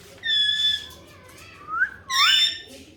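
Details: Pet talking parrot making a drawn-out nasal call, then soft gliding whistles and a final sharp, rich screech with faint background noise.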